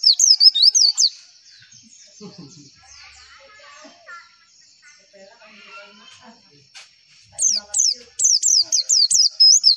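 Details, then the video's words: Javan white-eye masteran song for drawing replies: bursts of fast high twittering chirps open and close the recording, separated by several seconds of faint low chatter. "MASTERAN AMPUH PLECI, Klik sekali semua pleci pasti nyaut"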